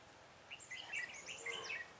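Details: Red-whiskered bulbul used as a decoy to lure wild bulbuls into a trap, recorded on 23 October 2017. The bird gives a short burst of bright, warbled whistled notes, quick and fluid, over a quiet rural background.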